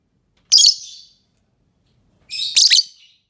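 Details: Lovebird producing two bursts of high, scratchy chattering chirps separated by more than a second of quiet.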